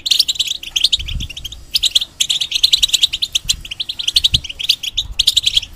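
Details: European goldfinch in a cage, a bird in molt, singing a rapid twittering song of high tinkling chirps and short trills in bursts with brief gaps, soft thumps below.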